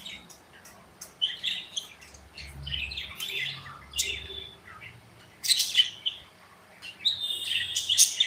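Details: Pet budgerigars in an aviary, flitting about and interacting, give a chattering run of high chirps and short squeaky notes, with louder bright bursts toward the end and faint low thuds beneath.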